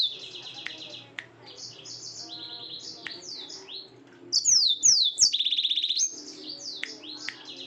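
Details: Yellow-fronted canary singing at night: high, rapid trills and slurred, whistled phrases, some rising and falling, with a louder burst of sharp, sweeping notes and a quick buzzy trill near the end.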